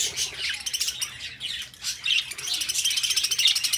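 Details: Parakeets, pet budgies, warble in fast scratchy chirps and thin whistled notes, a short quieter dip before the chatter swells again and runs on steadily.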